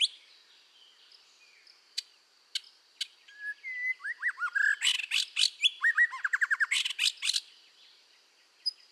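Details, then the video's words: Red-whiskered bulbul in full song, used for voice training: a few faint clicks, then a lively run of whistled slurred notes and rapid repeated downward chips, loud and dense midway, fading out. "tiếng chim chèo lửa hót căng luyện giọng kích lửa"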